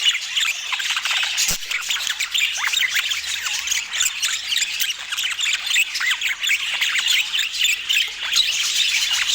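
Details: Budgerigars feeding and chirping, many quick up-and-down warbled notes and squeaks in a busy stream, with a single sharp tap early on.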